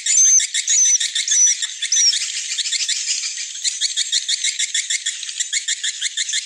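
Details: Swiftlets at their roost in a three-storey swiftlet house twitter with dense, rapid, high chirps and buzzy rattles in quick overlapping bursts, with a few thin whistled notes early.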